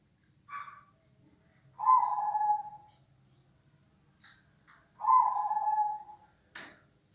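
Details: Zebra dove song, large and small birds, played to build a zebra dove's confidence; two drawn-out, slightly falling coos about three seconds apart, each led by a brief note, with faint clicks between.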